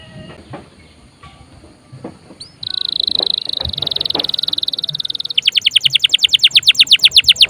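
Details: Canary song meant to spur other birds into singing: faint background sounds, then a long high buzzing trill followed by rapid repeated downward-sweeping notes.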